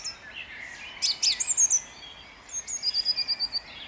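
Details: At dawn in Jabłonna, 29 April 2021, a song thrush sings a thin whistled motif followed by a quick run of about eight identical sharp notes, evenly spaced, with faint rural hiss behind.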